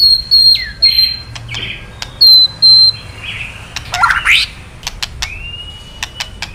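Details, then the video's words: A white-rumped shama male, stirred by kretekan calls, gives high, thin whistles and harsh buzzy notes, with a scratchy burst in the middle and scattered sharp clicks. "Suara KRETEKAN BURUNG MURAI BANGKITKAN EMOSI MURAI JANTAN KELUARKAN ISIAN! MURAI DIAM JADI NYAUT"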